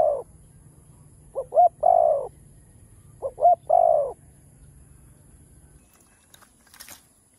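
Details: Spotted dove, a village and rice-field bird, giving its full cooing phrase: a short note, a quick double note, then a long mellow coo, repeated twice about two seconds apart, low and soft, then quiet with faint clicks.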